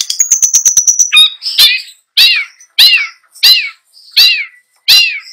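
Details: Long-tailed shrike singing full filling song: a rapid ticking series leads into a sharp rising whistle, then five evenly spaced, down-slurred mewing notes repeated about every two-thirds of a second.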